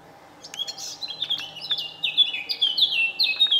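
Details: A Eurasian blackcap sings in the morning in Senigallia, Italy, on 25 June 2016: a quick, varied warble of high notes building into louder, clear fluting whistles toward the end, over a faint low hum.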